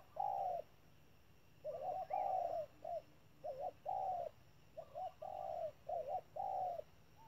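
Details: Trap decoy spotted dove giving its urging 'thúc' call: paired and single mellow low coos repeated at an even pace, with faint twittering behind.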